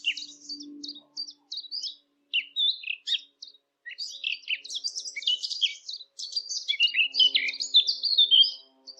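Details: Eurasian blackcap song for hunting callers: scattered short notes build into a long, dense, jumbled warble, with a faint low hum at the start and again near the end.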